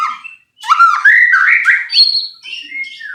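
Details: White-rumped shama, kept bird, singing a provoking song to make another bird vocal: clear fluting whistles rising and sliding in pitch, mixed with sharp chips, ending in softer descending notes; otherwise quiet.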